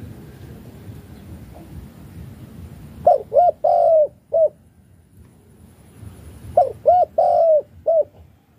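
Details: Malaysian spotted dove in chiêu gù cooing: after a few seconds of low rumbling background, two phrases of short rising coos, a drawn-out wavering coo and a clipped final note, repeated about three seconds apart.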